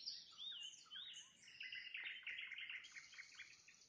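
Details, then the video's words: Sunset song of a nightingale, with rising and falling whistled phrases, then a dense run of clipped repeated notes and brief high trills over soft outdoor hiss. "Пение соловья на закате, соловьиные трели"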